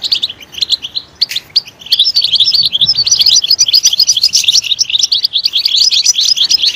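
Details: European goldfinch song, loud and lively: short chirpy phrases open the recording, then after two seconds an unbroken stream of rapid, tinkling, high twitters fills the rest.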